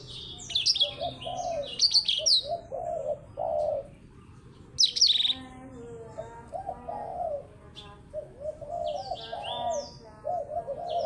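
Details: A blackthroat matched against a Java sparrow sings short loud bursts of buzzy high trills and sweeping whistles, separated by quieter spells, while low warbled notes continue steadily.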